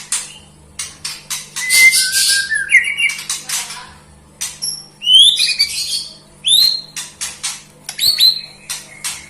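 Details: White-rumped shama singing sweetly, alternating sharp clicking notes and buzzy bursts with clear upward and downward whistled slurs in short phrases, against a steady low hum.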